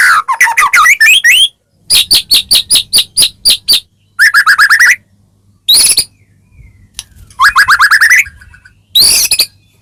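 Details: White-rumped shama singing richly varied phrases to provoke a caged bird into singing: descending warbles, a fast series of sharp clicking notes, buzzy trills and high rising chatters, separated by brief silences.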